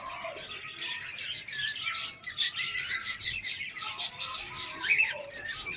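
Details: Many pet chicks with pet hens, giving continuous shrill overlapping peeps and chirps, bright and busy, with faint lower clucking beneath.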